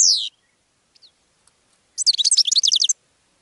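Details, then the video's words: Goldfinch song: a loud, buzzy, downslurred note opens, a few faint chips follow, then about a second of fast, bright, liquid twittering. "GOLDFINCH SONG to ATTRACT Other Birds"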